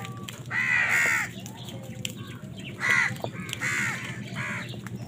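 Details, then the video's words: Crows competing for food give one long, raucous caw followed by a series of shorter, hoarse caws, with a low hum in the background. "কাকের ডাক Crow Sound Crow ki Awaz Loudly | Crow bird Fight for Food"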